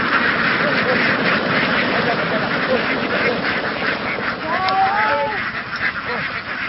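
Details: Vietnamese laying ducks in a herded flock crossing fields toward a migration boat produce a dense chorus of coarse quacks. A few louder drawn-out nasal calls stand out near the end.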